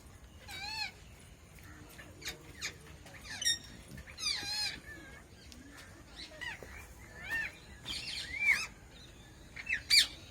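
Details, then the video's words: Red-breasted (moustached) parakeets (Psittacula alexandri) give harsh, squawky, wavering calls and rasping notes at irregular intervals, several birds overlapping, with a few sharper high chirps. "Mustached Parakeet"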